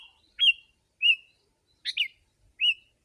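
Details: Brief sooty-headed bulbul phrase used to attract wild birds: a few curled whistles with a single rough double chatter in between, well spaced against silence.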